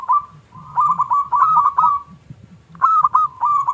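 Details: Local zebra dove in full song with a small 'klung' voice, used as a lure to provoke silent doves into singing: two phrases of quick, stuttering, mellow cooing notes, each about one and a half seconds long, over a low rumbling background hum.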